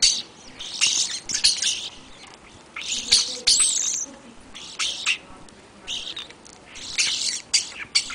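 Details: European starlings feeding before a February blizzard: dense harsh, scratchy chatter in repeated loud bursts, with a squeaky whistle among the rasping notes and quieter gaps between bursts.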